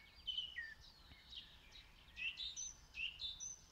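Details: Song thrush (Turdus philomelos) sings varied, bright, high whistled and chirpy phrases over a soft hum, recorded in Zala county, Hungary, by phone with the bird fairly far away.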